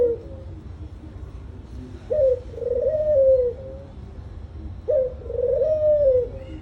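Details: Low, hollow coos from a dove, two repeated phrases each starting with a quick rising note and sliding into a long, slightly wavering tone, about three seconds apart, with quiet background murmur.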